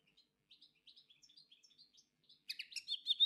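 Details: Common linnet (Linaria cannabina), song.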